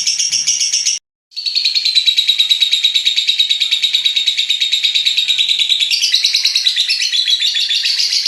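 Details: Lovebird chattering in a long ngekek trill meant to stimulate other lovebirds' singing; a high rapid pulsed chatter, cut by a short silence after one second, then resumes and continues steadily, growing denser toward the end.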